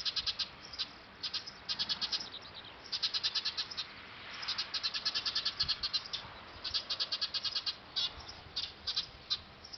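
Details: Eurasian tree sparrows calling from a nest built on a factory roof, recorded on a D5000; dense, insistent high chirping in fast repeated series of short notes, nearly continuous with brief gaps.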